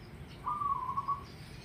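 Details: Zebra dove (perkutut), a local bird, in full song: one soft, fast, bubbling cooing trill of under a second, steady in pitch, over a quiet background hiss.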